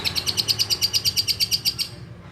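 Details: Long-tailed shrike mimicking a lovebird: a rapid, even string of high, piercing chirps, around seven per second, lasting under two seconds before stopping abruptly.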